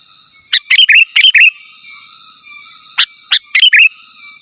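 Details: Sooty-headed bulbul song used to call rivals: lively runs of sharp clicks and liquid rolling whistles, two busy phrases a little over two seconds apart, steady faint hiss underneath.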